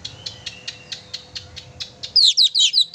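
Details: Singing oriental magpie-robin used to provoke a pet magpie-robin: a steady row of faint ticking clicks gives way to loud, slurred high chirps in quick succession.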